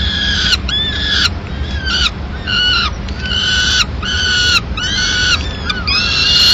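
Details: Peregrine falcon female arriving at the nest in Madrid with pigeon remains at mid-morning; loud, rich, harmonic calls with a falling end, given in spaced bursts about once a second.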